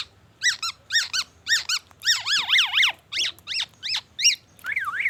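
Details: Black-naped oriole singing vigorously, its song packed with phrases imitating the white-rumped shama: a series of sharp, ringing downslurred notes, then several rising-and-falling whistled swoops, more clipped notes, and a final wavering whistle.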